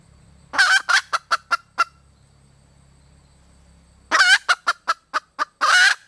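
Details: Red junglefowl hen calling for a mate in two series about three seconds apart. Each begins with long harsh notes that break into rapid short clucks, over a faint low hum.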